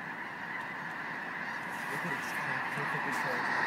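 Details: A very large flock of wild snow geese in South Dakota, a dense continuous roar of overlapping honking and yelping calls with no single bird standing out.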